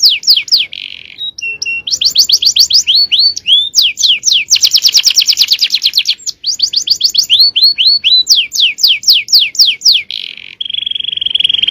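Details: Male canary in full-power song meant for training young birds, delivering rapid rolling trills, quick repeated downward-sweeping whistles and a brief steady whistled tone near the end, with almost no pauses.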